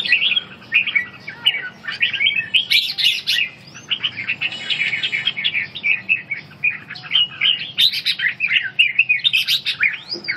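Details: During stamina and ché training, a red-whiskered bulbul keeps up a long, busy chatter of sharp chirps and warbled slurs, with louder bursts early and late and a softer stretch in the middle.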